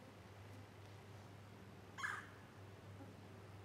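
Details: Red-bellied woodpecker (Melanerpes carolinus) at McCormick's Creek State Park on April 19, 2012, giving a single short, rolling kwirr call over a steady low hum.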